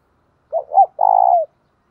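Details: Spotted dove serving as a decoy bird to lure wild doves, praised for its 'thổ đồng' voice. It makes a clean three-part coo: two short arched notes, then one long even note tailing downward.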